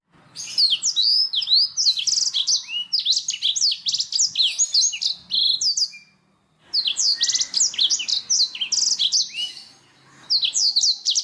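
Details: Canary song for stimulating other birds to sing: long runs of loud, rapid, high chirps and rattling trills, broken by brief silences near six and ten seconds.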